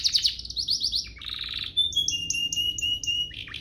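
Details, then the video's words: Canary song used as a master tutor for young canaries and to prompt them into full song: fast rattled trills, then a buzzy phrase and a run of clear high whistles repeated about twice a second. "Cengkoknya MEWAH, Efektif buat Masteran kenari paud dan pancingan kenari biar gacor"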